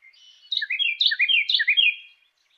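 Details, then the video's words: Carolina wren with a clear voice in a training recording: a soft lead-in note, then three or four loud repeated phrases, each a sharp high note sliding down into a rich whistle, delivered rapidly. "MASTERAN BURUNG LUAR NEGERI CAROLINA WREN SUARA JERNIH"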